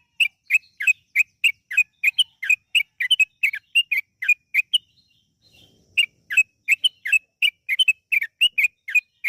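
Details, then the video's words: Yellow-vented bulbul giving long, fast song as a lure for other birds; steady stream of short bubbly notes roughly three per second, a pause of about a second, then the run resumes. "PANCINGAN TRUCUKAN AGAR BUNYI burung TRUCUKAN GACOR ROPEL PANJANG"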